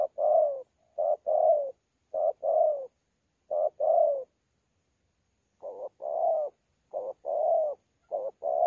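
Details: Spotted dove, wild-caught, thổ pha contest voice with gù, Sa Thầy, Kon Tum, November 2019. Four hollow short-long coo pairs, a silent stretch of about a second, then four more pairs, the first notes slightly softer.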